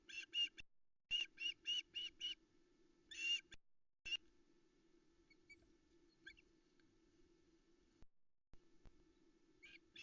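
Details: Female Osprey calling for fish at her nest in the Arkaig Community Forest, Loch Arkaig, morning of 13 July 2020. Two quick bursts of harsh, piping chirps are followed by quieter gaps, over a steady electrical hum.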